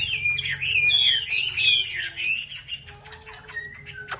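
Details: Chinese hwamei fanning out as it sings, freshly through its moult: a rapid series of sweet, looping whistles that fades into sparse, softer notes and a few clicks.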